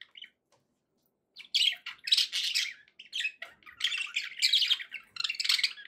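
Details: Happy pet budgies: after a quiet start, steady buzzy warbling and harsh chirps pour out in overlapping bursts, high and scratchy, indoors.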